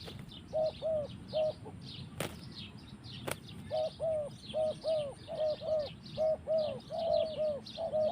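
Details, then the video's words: Forest recording of a spotted dove: rounded hooting coos in twos and threes, regularly spaced after a short gap with two loud clicks, set against persistent shrill chirping from other creatures. "Mantap Tekukur in the forest"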